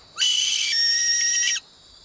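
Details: A captive female lesser sooty owl calls with one shrill, hissing screech about 1.5 seconds long, steady and high with a brief dip at the end. This is the typical call heard at night in the Daintree Rainforest.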